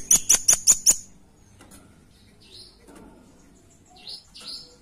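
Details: Lure call of a velvet-fronted nuthatch, five rapid, sharp, very high chips in one second, followed by quiet with a few faint high thin notes later.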